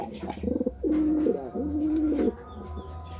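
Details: Pigeon in courtship uttering a quick burst of rolling notes, then two long, level, throaty coos before falling quiet, with a low background hum.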